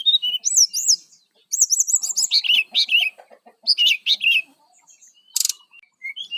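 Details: Brown-chested jungle flycatcher singing vigorously, used to lure wild birds: high rising-and-falling whistled phrases, some doubled and rapid, in bursts separated by short pauses, with a brief buzzy burst near the end.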